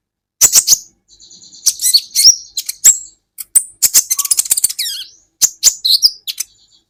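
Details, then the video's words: Brown-throated sunbird (kolibri ninja) singing as a training recording. Crisp, high chips lead into a long, fast, twittering warble with descending whistled slurs, then finish with a few scattered sharp notes. "Masteran buat KOLIBRI Ninja Bahan Agar BUNYI"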